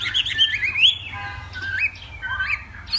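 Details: Morning contest singing by a Northwest Vietnamese hwamei: a brief phrase of warbled, rising whistles, then scattered short slurred notes separated by small gaps.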